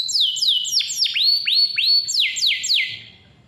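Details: Loud canary phrase, offered to start young or quiet canaries singing: falling and rising slurred whistles, roughly three or four per second, alternating in pitch, then fading away near the end.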